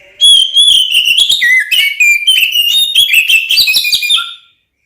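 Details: Combative song of an Oriental magpie-robin (kacer), played to make other magpie-robins aggressive: continuous fast warbling of clear whistles with rapid changes in pitch, then a short low note before silence.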